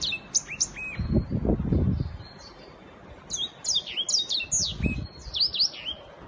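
A black-throated canary sings a fast, high jumble of sweet twittering notes in bursts, with low thumps and rustling in the background.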